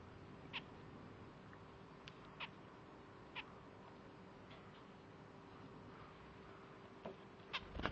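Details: A pet male zebra finch defends the spot where his owner's drink sits, treating it as his nest, and gives short, nasal, beeping calls spaced irregularly, with a quick double burst near the end, over a quiet indoor hum.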